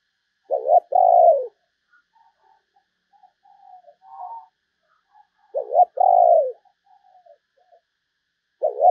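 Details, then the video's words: Decoy spotted dove luring other doves, giving a short double note and a long burry coo, repeated after about five seconds and starting again at the end; soft faint sounds between calls. "chim cu gáy kích bổi mới"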